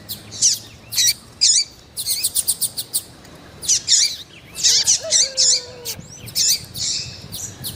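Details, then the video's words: Female Double-collared seedeater calling insistently to stimulate males: busy high chirps and fast chip clusters with short pauses. A lower wavering whistle is heard in the middle. "FÊMEA DE COLEIRO QUENTE CHAMANDO MUITO FOGOSA E PIANDO"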